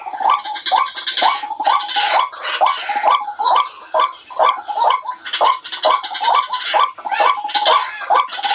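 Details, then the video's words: White-breasted waterhen used as a trapping lure, giving rapid repeated croaking notes over two per second mixed with brighter scratchy overtones, rhythmic and continuous. "Suara burung ruak ruak paling ampuh.waakkk waakkk"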